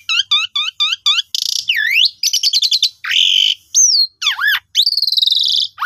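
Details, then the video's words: Lure song of the Asian pied starling for birds that have stopped singing, opening with a quick series of repeated looping whistles, then harsh buzzy bursts, swooping slurs and a long rattling note. "Pancingan Jalak Suren Jitu Cocok Buat Burung Macet Pasti Gacor"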